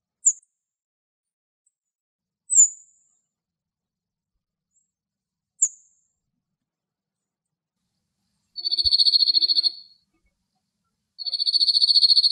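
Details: A male cirl bunting in Greece gives three thin, high calls, then two dry, rapid rattling trills on a single pitch, each lasting about a second and a half.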